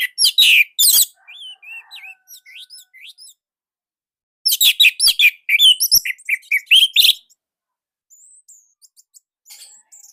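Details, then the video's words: Orange-headed thrush from Indonesia singing a unique, loud training song: loud bursts of rapid whistles and sharp notes separated by quieter chirping and a short silence. "Anis Merah Indonesia //Masteran Paling Enak."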